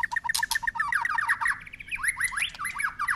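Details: White-rumped shama with tail flicking in a long continuous song of shifting phrases: quick repeated paired notes give way to swooping slurred whistles, delivered fast and without pause.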